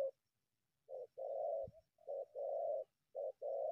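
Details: Wild spotted dove approaching a decoy from bushes, meaning to attack it: mellow low coos in short-long pairs, repeated three times, with a dull thump between the first two.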